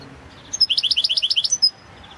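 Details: Goldfinch of the balcanica subspecies singing for the 2022 online World Championship in Goldfinch Song: a high opening whistle, a steady rhythmic run of about ten bright twittering notes, then a closing thin whistle.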